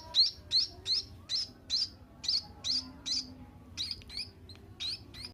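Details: Munia nestling, seven days old, begging with a steady series of sharp, high, slightly rising chirps, roughly three per second, over a low background rumble.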